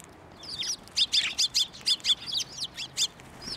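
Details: Sparrows coming to a hand for food at a Tenmangu shrine, 11 March 2024: a quick series of short, bright, sharply bending chirps repeated about four times a second after a quiet start.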